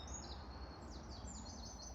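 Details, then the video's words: A Eurasian wren gives thin, high, quickly repeated downslurred notes, several per second, faint over a steady low background rumble, in Saltwell Park at the first signs of spring. "This is a wren call."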